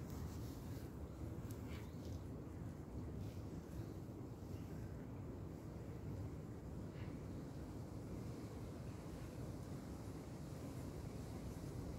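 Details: Steady low rumble of wind buffeting the microphone, with no clear animal calls.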